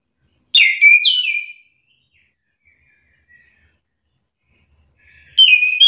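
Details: Orange-headed thrush song used as a lure to make reluctant birds answer angrily in a singing exchange: two rich, slurred whistled phrases falling and rising, a long quiet gap, then another loud whistled phrase near the end.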